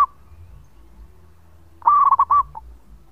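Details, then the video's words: Zebra dove, local type, singing as a lure: after a quiet pause, one loud rolling phrase of five quick looped coos followed by a short soft note. "Perkutut Lokal Gacor Suara Panjang buat Pancingan"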